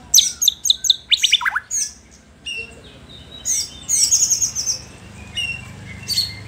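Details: White-rumped shama singing to provoke rival shamas: rapid high chirps and sweeping whistled notes in bursts, then thinner trills, over a steady low hum.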